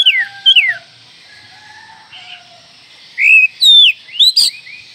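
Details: Oriental magpie-robin call used to rouse other magpie-robins: a few quick downward whistles, a quiet stretch with faint low tones, then a loud cluster of bright, slurred whistles.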